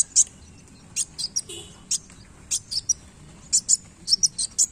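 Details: Sunbird flicking its tail as it sings; thin, high chirps delivered singly or in pairs with short gaps, some notes dropping slightly lower.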